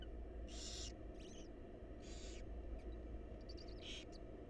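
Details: Wild barn owl chicks beg during a feeding by their mother in a monitored nest box: several short rasping hisses, some broken and stuttering, plus a few faint clicks over low hum.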